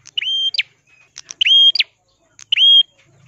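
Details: Red-headed Ashy tailorbird singing in a crystal-clear voice as a tutor song: three evenly spaced phrases of a ringing level whistle, each with an upward flick at the end, preceded by soft chips.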